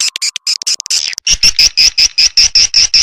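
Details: Swiftlet lure sound for edible-nest swiftlets: scattered quick clicks and chirps, then a regular series of loud, high, slightly whistled chirps, about three each second.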